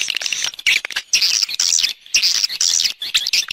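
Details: Swiftlet calls for an external sound track: clustered bursts of shrill, buzzy chirping, roughly one burst per second, each cut by brief quiet gaps.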